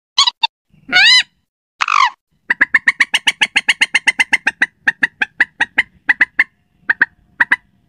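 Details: Slaty-breasted rail lure call for night: a few grating squeals open, then a fast steady series of sharp, clipped notes about four a second, briefly pausing and resuming.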